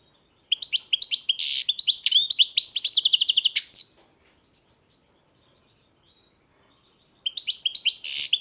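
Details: European goldfinch singing: a rapid, tinkling run of bright twittered and buzzy notes lasting about three seconds, a long silence, then the song starting again near the end; quiet background.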